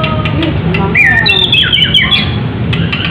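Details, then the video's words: A murai batu (white-rumped shama) from Medan in contest-ready full song: a burst of harsh, squawky phrases mixed with bright slurred whistles, then quieter notes, over a low background hum. "murai batu medan gacor siap ikut lomba || murai batu gacor full isian || murai batu gacor"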